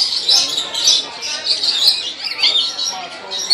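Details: Lorikeets in a zoo feeding exhibit, with visitors feeding them from cups, keep up a dense, continuous high-pitched screechy chatter, while people talk in the background.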